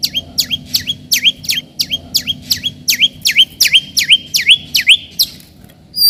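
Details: White-rumped shama song meant to provoke rivals and test young birds: a steady series of about sixteen sharp falling-then-rising chirps, roughly three per second, over low background noise.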